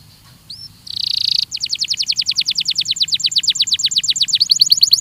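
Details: Belgian canary song used for training: a short rising whistle and a buzzy note, followed by a long rapid trill of crisp chirps repeated several times a second that continues to the end.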